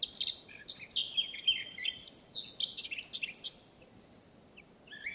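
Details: Wild Eurasian blackcap singing a fast, rich warble of high, varied whistled and chattering notes for about four seconds, then briefly quiet before a few notes resume.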